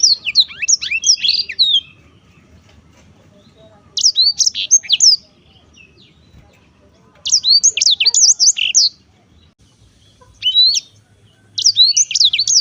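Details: Black-throated canary singing in short bursts of quick high twittering notes, each one to two seconds long, separated by silent gaps of several seconds.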